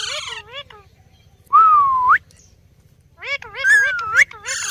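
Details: Pet ringneck parakeet speaking: nasal warbled syllables, then a long smooth whistle climbing at the end. Another bout of rough talking syllables ends with a second upswept whistle.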